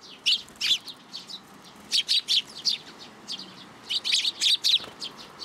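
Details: Sparrows coming to a plum tree at a Tenmangū shrine for food, 17 June 2022; loud, clear high chirps in clustered bursts, pausing briefly around the middle before another run of close calls.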